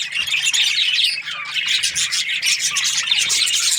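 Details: Budgerigar breeding pairs, aviary: loud, thick high chatter of many birds, rapid chirps and buzzy warbles running together.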